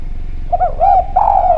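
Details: Spotted dove of the Javan type giving a lure call in a clear voice: a short run of soft, arched coos flows into one drawn-out, slightly wavering note, with a low constant hum behind.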